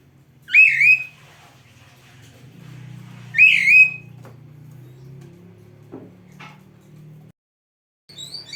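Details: Oriental magpie-robin song played to train kept birds: two loud, wavering whistled notes about three seconds apart, separated by near silence, with a faint low hum and a soft click in the background.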